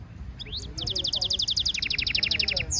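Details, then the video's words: Training stimulation song of a European goldfinch mule hybrid. After a brief slurred note, a rapid, very regular run of repeated high chips pours out at roughly ten per second for two seconds. "European goldfinch Singing Mule -Training - Jilguero Mulo - Carduelis carduelis - Stimulation song"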